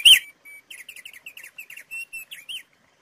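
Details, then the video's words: Thick-billed white-eye recording used as a lure for training cage birds: quick, high twittering song of short whistled and buzzy notes over about two seconds, after a sharp click at the start. "suara pancingan opior paruh tebal gacor jernih"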